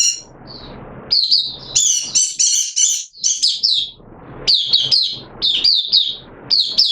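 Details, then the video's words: Oriental white-eye kept as a hobby bird, open singing on a wet day, 6 September 2022: harsh buzzy notes at first, then quick high chirping and twittering phrases in uneven bursts. "Mata Puteh T Rex Buka Sing"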